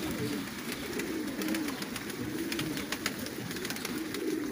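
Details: Fancy pigeons at a large pigeon farm in Qatar: low, rolling coos rise and fall repeatedly beneath a steady stream of sharp clicks and tapping, with several birds cooing over one another.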